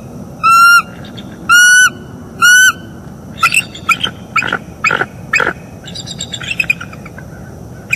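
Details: Mated pair of wild bald eagles at a northeast Florida nest, filmed on a live nest camera on the morning of 25 October 2021 while mating. Three long, level, harmonic-rich calls come first, followed by a burst of sharp, high chittering notes.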